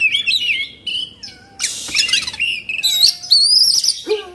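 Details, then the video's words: Agitated Oriental magpie-robin kept as a hobby bird in Indonesia, with its tail fanned out. Loud whistled glides and trills tumble together with rasping, noisy bursts, then rise into high, bright warbled phrases. "Suara Kacer Emosi/Kongslet"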